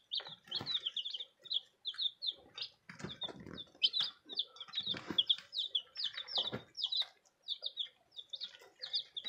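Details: Baby chicks that came in today keep up continuous high-pitched peeping, many short piercing notes overlapping in quick bursts, with scattered low bumps and scuffling in between.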